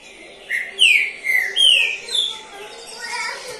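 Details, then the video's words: Prize-winning caged trinca-ferro (Green-winged Saltator), third place in its competition season, delivers a rich whistled phrase of four or five strong slurred notes, some rising and some falling, then fading softer notes. "SEU TRINCA FERRO. PASARO CAMPEÃO."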